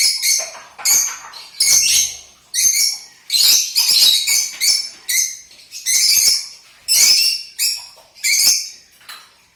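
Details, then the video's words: Lutino lovebird kept as a pet, producing a steady series of loud, piercing, harsh chirps, roughly one burst every second, each scratchy and high-pitched, with no other clear sounds. "My Lutino Love bird"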